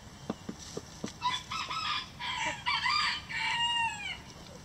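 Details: Chickens in a coop. A few sharp pecking clicks, then a long run of loud harmonic calls over about three seconds, ending in falling, arching notes.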